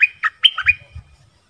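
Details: Dok Taeng bird acting as a forest decoy to call a mate, 13 January 2021; a few loud, squeaky chirps slurring downward in under a second.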